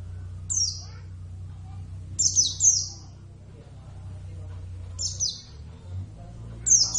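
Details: A kept Javan Oriental white-eye (Zosterops palpebrosus javanus) in full song gives four bursts of sharp, high-pitched, downward-sweeping twitters separated by long pauses, with a faint low background drone.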